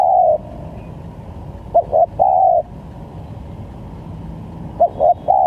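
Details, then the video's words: Spotted dove cooing on a lure recording used to draw birds for trapping; phrases of two quick low hoots followed by a longer sustained coo, repeated about every three seconds over faint rural background noise. "Pancingan Tekukur||Berpariasi Bunyinya"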